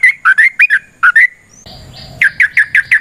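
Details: Wild yellow-vented bulbul in long ropel song, meant to lure other bulbuls into singing: bubbly paired notes, then a short break with a hum, then a quick run of five liquid notes.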